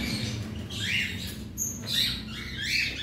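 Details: During cage cleaning in a colony aviary of about 100 cockatiels, a few rising, squeaky chirps spaced about a second apart sound over a steady low mechanical hum.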